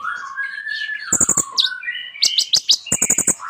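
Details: Kolibri ninja, a sunbird kept as a caged songbird, singing a rich varied song: thin high whistles and slurred notes mixed with rapid clusters of sharp chips, dense and continuous.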